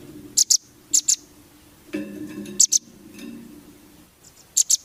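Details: Velvet-fronted nuthatch, a training recording for competition birds, giving sharp high paired chips in short bursts spaced about half a second to a second apart, with a low murmur and soft rustling underneath.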